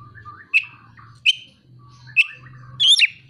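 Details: Oriental magpie-robin song with imitated prinia and sunbird calls: three sharp isolated chips spaced under a second apart, then a complex tumbling phrase, over a faint low hum.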